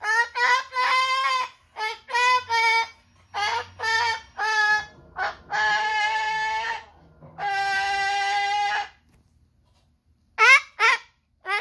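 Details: Umbrella cockatoo singing: a run of short, nasal, harmonic calls in quick bursts, then a long held note and a few final clipped notes.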